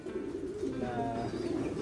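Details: Loft pigeons brought from Japan, a flock uttering soft low rolling coos in a continuous murmur, with a faint higher tonal sound and indoor background hum.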